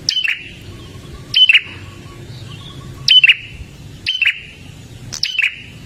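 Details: Gacor dor singing of an olive-backed tailorbird, used to get caged birds singing: abrupt, piercing twin-note bursts with a high whistled tone, given about once every second, over a faint low hum.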